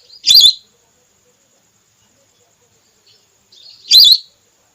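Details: Female whistling duck voice used by hunters with a net to attract red or plain whistling ducks: a quick twisting whistled note, a long silence, then a second similar note preceded by a soft lead-in whistle.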